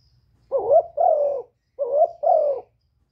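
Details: Spotted dove from Cà Mau, a recording used to stir decoy and wild doves during trapping. Two mellow, hoarse coo phrases, each a rising then falling pair of notes, about a second apart, with faint low rumble beneath.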